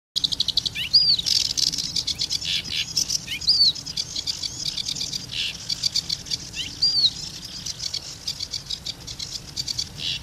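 A sedge warbler runs through a fast, unbroken chatter of dry ticks and harsh churrs, broken every few seconds by a sweet, slurred whistle.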